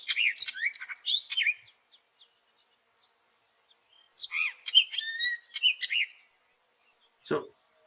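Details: Hooded oriole giving its near constant mix of notes, trills, chips and chirps: a fast cluster of high chattering chirps, a row of thin spaced chips, then another jumbled burst of whistled and buzzy notes, ending with a single click.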